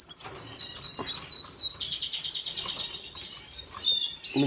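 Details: Red siskin song recorded on 5 April 2022: a lively high twitter of rapid, slightly buzzy repeated notes running into a fast trill, then scattered chirps, with light background rustling.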